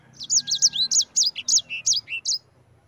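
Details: Ngerol song of a Yellow-fronted Canary, or sanger: about ten bright, high whistled notes, each a quick rising-and-falling slur, delivered in an even, bouncing rhythm before fading out.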